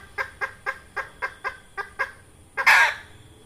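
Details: Hen red junglefowl, a trapping lure call: evenly spaced clucks about four per second, finished by one loud rasping squawk.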